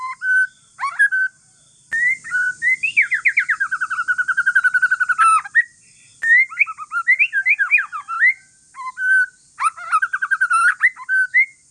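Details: White-rumped shama of the Aceh forest line giving relaxed song to provoke other shamas to answer: long fast trills of dense repeated notes, descending slurs, varied whistled phrases and sharp rising notes, separated by short pauses, with constant hiss.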